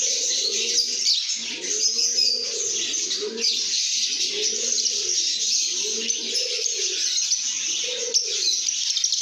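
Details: A chatty group of lovebirds sings and chirps happily, a constant shrill twittering, while loud low coos rise and fall in phrases roughly every one to two seconds.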